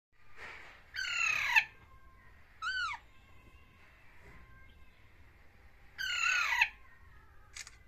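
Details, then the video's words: Baby parrots calling to one another: harsh, buzzy squawks with rich harmonics, two long rasping bursts and a short arched squeal between them, set against faint steady tones and background hum. "Baby parrots talking to each other | Baby Parrot Voice"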